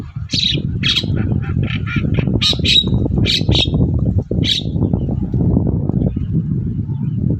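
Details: Morning song of an actively singing long-tailed shrike, meant to draw answers from other shrikes: a burst of harsh, scratchy notes in quick succession, then quieter, with a persistent low rumble.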